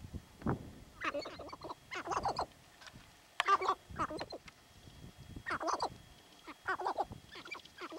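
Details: Territorial sharp-tailed grouse in Theodore Roosevelt National Park, North Unit, 10 June 2017; repeated bursts of chattering, cackling clucks, some rough and gobbling, arriving in clusters every second or so with brief pauses.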